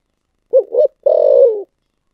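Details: Single spotted dove phrase in the 'thổ sấm' voice: two brief looping hoots, a short gap, then a prolonged mellow but grainy coo that trails slightly lower before stopping.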